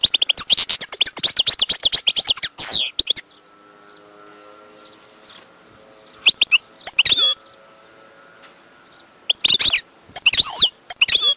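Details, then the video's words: Wild European goldfinch opening with a dense, rapid twittering song, then falling quiet for several seconds as a faint steady hum sounds, before resuming with scattered chattering bursts. "chant chardonneret sauvage/ تغريد حسون نار"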